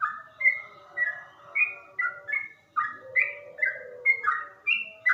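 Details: Slow, bass-toned ropel singing from a yellow-vented bulbul: bubbly chirped notes fall one after another roughly every half second, some paired, over a quiet background.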